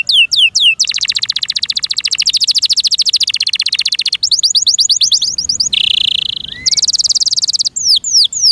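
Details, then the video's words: Loud song of a kept canary: a long, very fast rattling trill that holds steady for seconds, then a sharp buzzy tone, a short rising note and a few clear downslurred whistles. "PLEASE LISTEN AND ASSESS FOR YOURSELF THE BEST CANARI BIRD"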